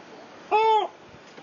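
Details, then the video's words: A gull in Glasgow gives a single brief, nasal call that rises slightly and falls away, lasting about a third of a second against a quiet background. "Mr. Seagull Hanging Out Makes a Funny Noise"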